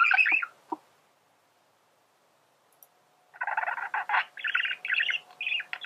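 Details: Male budgerigar song for training birds to sing: a brief chatter, about two and a half seconds of near silence, then a renewed burst of buzzy warbling.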